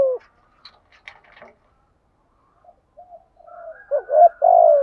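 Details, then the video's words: Spotted dove used as a decoy, cooing to provoke wild birds: a quiet opening with scattered clicks, then faint low notes and a loud rising double note with a long falling coo at the end. "chim cu mồi thúc gù bài bản nhất hiện nay, chim cu gáy kích bổi hiệu quả nhất hiện nay"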